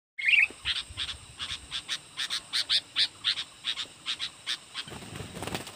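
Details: Aggressive wild sooty-headed bulbul drawn in by a young caged decoy of its own kind during bird trapping; one brief whistled note opens a series of about fifteen short, harsh, evenly spaced chattering notes, with a low rumble near the end.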